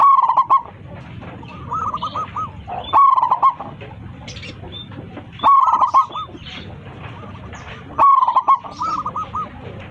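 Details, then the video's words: Local zebra dove singing loudly to summon its flock: four bright rolling coo phrases, each followed by a quieter run of looped coos, repeating roughly every two and a half seconds against a faint hum. "PERKUTUT LOKAL GACOR 27 MEMANGGIL KAWANANNYA MANGGUNG suara besar"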